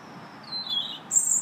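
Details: Robin in song in a park, March 2nd; a brief, high sliding whistle followed by a sharper, very high twittering phrase.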